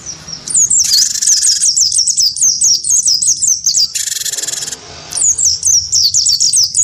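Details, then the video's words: Wingko-type cinereous tit, provoked to sing combatively against a white-eye, delivers long strings of piercing, quickly repeated slurred chirps, interrupted by two harsh hissing buzzes, the second from about four to nearly five seconds. "gelatik batu wingko gacor pancing bunyi tarung sama burung pleci"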